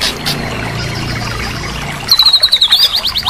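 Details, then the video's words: White-rumped shama song on a training recording meant to get a silent bird singing again. About two seconds of hissy noise, then a loud, high, bright whistled phrase of fast repeated notes ending on a short rising whistle. "Terapi murai batu mogok bunyi dijamin langsung bunyi lagi"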